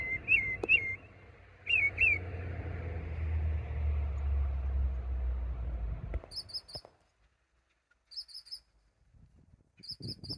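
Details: Northern Mockingbird singing in a pine tree at Econ River Wilderness Area, Oviedo, Florida: bright whistled upslurs in quick pairs over two seconds, over a low rumble, then quiet with faint high chips.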